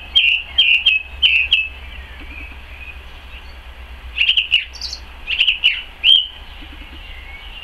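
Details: Song thrush singing in a garden in May, 12 May 2014: a phrase of four bright whistled notes, a pause with soft twittering, then further repeated whistled phrases and a final sliding note, over a faint low hum.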